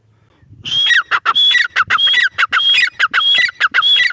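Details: Grey francolin female giving a rapid series of loud, metallic phrases. A thin high whistle is followed by scratchy descending notes, repeated steadily about every half second to the end.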